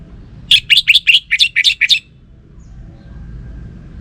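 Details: Eight quick, evenly spaced chirps from a caged orange-headed thrush, each note a short bright burst, delivered in about one and a half seconds before quiet hum.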